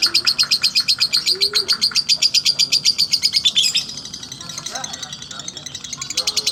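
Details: Lovebird giving a slow ngekek, a loud rapid series of high pulsed chatter for nearly four seconds that softens into quieter, looser chattering, with faint voices behind.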